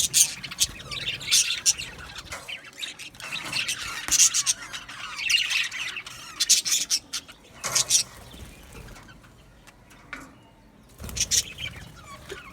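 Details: Australian budgerigar colony in an aviary, several birds chirping and chattering in irregular bursts of sharp high notes and scratchy warbles, fading to near quiet before a final short outburst.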